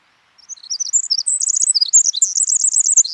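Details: Pacific Wren pouring out a very high, rapid tumbling song of tinkling trills and twittering notes, continuous and without pause; described as impressive for such a tiny bird, in local forests during breeding season.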